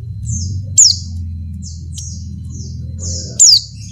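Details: Female Oriental white-eye in breeding condition calling to a male: two sharp, very high downward-sliding notes about two and a half seconds apart, with softer thin high notes between them over a low steady hum.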